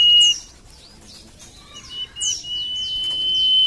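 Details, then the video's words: Common iora lure song: short high whistles and downslurred chirps, then a sustained even whistle growing louder over more than a second. "PANCINGAN BURUNG SIRTU / CIPOH MALAS BUNYI"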